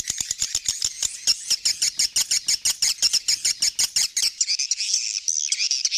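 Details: Swiftlet calls: a fast series of sharp, dry clicks, about three per second, running for four seconds before giving way to a dense, buzzy high twittering.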